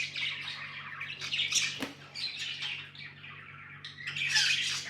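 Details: Budgies chirping as pets, a dense run of chattering bursts high in pitch with a louder squawky flurry near the end, over a steady low electrical hum.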